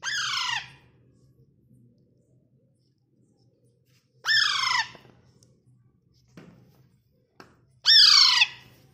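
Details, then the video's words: A parrot gives three loud, harsh squawks, each about half a second long and spaced roughly four seconds apart, with faint indoor clicks between. "parrot Sound"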